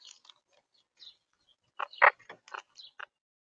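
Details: Wild monk (Quaker) parakeets feeding on sunflower seeds give a run of short, harsh, grating squawks after some faint, thin chatter.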